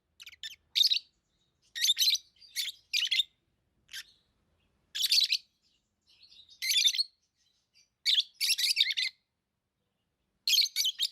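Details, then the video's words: Shrill, grating chirps from pet lovebirds, coming in clusters of two or three harsh notes separated by short pauses, with a few faint soft twitters between bursts. "Love birds Sounds | lovebirds chirping sounds"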